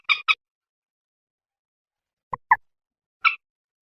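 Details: Common moorhen (Gallinula chloropus), recorded as a lure call, gives short, harsh clucking notes, mostly in quick pairs, spaced by pauses of a second or more; otherwise quiet.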